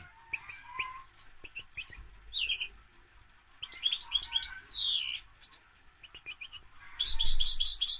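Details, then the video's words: Lively European goldfinch song, a varied jumble of high chirps, liquid twitters, a descending sweeping trill and a dry buzzy rattle near the end, with short silent gaps between phrases. "Goldfinch - Jilguero"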